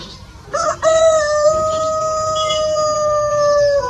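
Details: A rooster at a chicken farm gives two short, rough notes and then a long, loud, even crow lasting about three seconds that sags slightly at the end.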